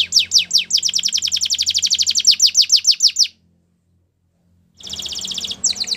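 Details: Belgian canary singing a training song: a fast run of sharp descending chips repeated about six per second for three seconds, a pause, then a buzzy rattling trill and further chips over a low hum.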